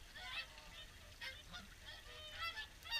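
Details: Swans at the evening feed at WWT Caerlaverock: a busy chorus of overlapping nasal, honking calls from many birds, bursts every fraction of a second over a steady low background rumble.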